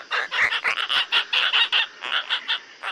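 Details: Asian openbill (Anastomus oscitans), call.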